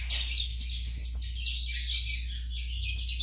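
A young Double-collared Seedeater gives a fast, unbroken run of high, scratchy twitters and chirps over a steady low electrical hum.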